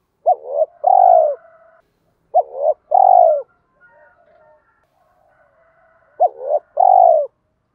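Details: Spotted dove cooing, used to stimulate other doves to coo. There are three phrases, each a short hooked hoot, a rising note and a long, falling coo. Thin, faint whistles of other birds sound in the pauses.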